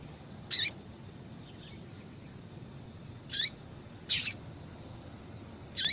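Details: Female yellow-bellied seedeater calling often to excite males. Four sharp, very high chips with short falling tails, spread unevenly over six seconds, plus one soft faint note, over gentle background hiss.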